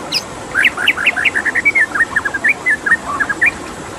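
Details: White-rumped shama singing over a water sound: a fast sequence of rich whistled and warbled notes, each brief, rising and falling, steadily repeated for four seconds after a high opening note.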